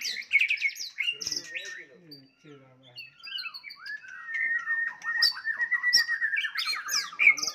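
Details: Fighting song of a White-rumped shama, sung to provoke a rival: abrupt loud whistles and chips, a quieter gap, then a long continuous warble mixed with high sharp notes that ends on a loud flourish.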